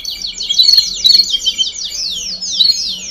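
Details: Domestic canaries in a baderna, a chorus of many singing together, used to stimulate young birds to sing faster; dense overlapping high trills of rapid repeated notes, with short bright chirps and quick downward slurs throughout.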